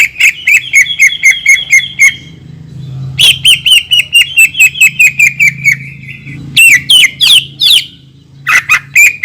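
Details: Greater green leafbird lure song with long shots, meant to stir other leafbirds: lengthy runs of rapid high chips, followed by a few louder, sweeping whistled notes.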